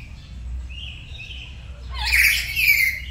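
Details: Morning session of a pet black-capped lory at home practising gacor song in a duet: soft wavering whistles, then a loud, coarse, screeching burst in the second half.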